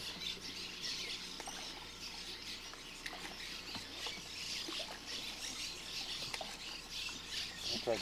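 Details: A busy colony of Cliff Swallows at Lake Kinkaid cliffs on 11 June 2007, nesting in holes in the cliff wall, keeps up constant high, squeaky overlapping chatter while a man talks.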